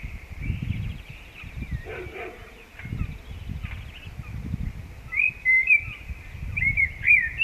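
A blackbird sings thin, mid-pitched fluty phrases with brief bright twittering notes near the end, over low rumbling wind or handling noise.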